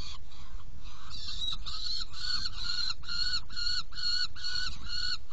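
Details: Saker falcon at a nest box during feeding, 17 June 2018 at 10:31; a series of harsh, harmonic calls repeated roughly twice per second after a short pause, over a steady low background hum.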